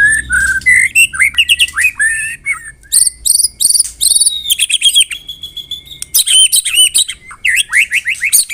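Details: Morning song of a Medan white-rumped shama, meant as training material for other birds: tightly packed rattles, rising whistles and clipped repeated notes, with rapid harsh chatter in quick succession.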